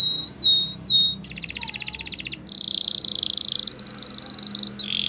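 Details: Spanish Timbrado canary singing for training: two clear high whistled notes, then a rapid rattling trill and a long dense metallic roll, ending with a softer lower trill.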